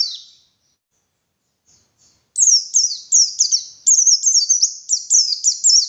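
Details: White-eye, known locally as pleci, singing as a morning lure: one thin high note, a pause, then a fast run of very high, sharp descending chirps repeated several times a second.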